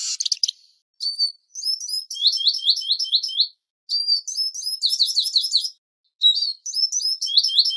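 Eurasian siskin in fast, high twittering song: bursts of chattering notes and repeated descending squeaky slurs, broken by short pauses.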